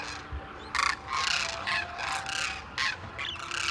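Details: Wintering flock of demoiselle cranes at Khichan village, India, where villagers feed grain in an enclosure early morning: rough, overlapping calls in rapid bursts, with a steady hum underneath.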